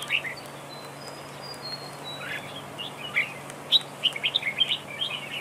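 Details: Duel-singing red-whiskered bulbul, a decoy in a trap duel: a few opening chirps, a quieter gap with faint thin whistles, then a rapid lively series of sharp chirps and warbles; low hum throughout.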